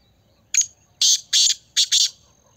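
Black francolin giving harsh, grating notes: a single rasp, then two pairs of loud buzzy bursts in quick succession. No other sounds.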